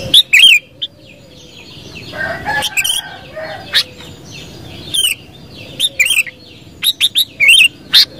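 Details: Sooty-headed bulbul singing lively, bubbly whistled phrases, some warbling and slurred, in short bursts with a fainter lower call in the middle and a soft bird chorus behind.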